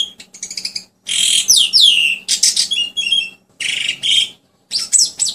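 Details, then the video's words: Asian pied starling song used as a lure for other birds: loud raspy squawks and descending whistled slurs, followed by short chattering notes and harsh bursts, in uneven phrases with gaps, and a faint low hum behind. "SUARA ASLI JALAK SUREN UNTUK PANCINGAN ATAUPUN TERAPI BURUNG ANDA YANG LEAST BUNYI"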